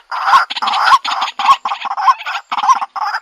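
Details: A white-breasted waterhen in a 2021 decoy recording, filmed with a Xiaomi Redmi Note 8 phone, gives a run of harsh, croaking calls. Some are broken into quick stuttered pieces, roughly two notes per second.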